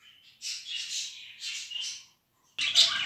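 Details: Young budgerigars being hand-tamed as chicks; drawn-out, grating, buzzy calls rising and falling in two long phrases, a short pause, then a louder, rougher burst with a faint low hum underneath.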